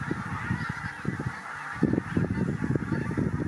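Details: Pink-footed Geese spooked by a Marsh Harrier at WWT Martin Mere, 4 November 2017: a busy, excited chorus of short, low honks tumbling over one another in rapid irregular bursts, set against constant background flock noise.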